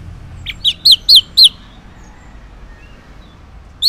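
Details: Orange-headed thrush morning song used to coax silent males into answering: a quick series of four or five clear, down-slurred whistled notes, followed by silence and one more note.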